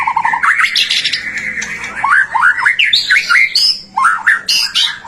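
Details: Energetic White-rumped shama song intended to coax other shamas to sing: low whistles give way to a run of squawky upswept notes, repeated several times with short gaps.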